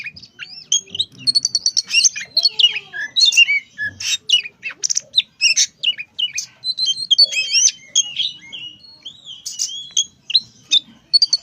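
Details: Long-tailed shrike, a young tame bird, singing a varied jumble of sharp chirps, whistles and scratchy notes, delivered in quick irregular bursts for over eleven seconds.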